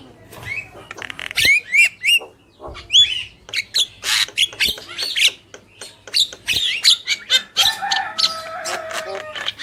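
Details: Male and female black-winged mynas singing together: a busy jumble of harsh broadband squawks, clicks and short rising whistles, bursts packed closely over ten seconds with a brief steady tonal note near the end.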